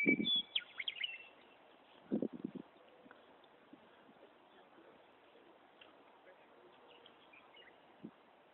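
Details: Meadowlark singing loudly from a tree in Wyoming: one brief fluted, warbling phrase at the start, then a quiet stretch with low murmurs and thumps.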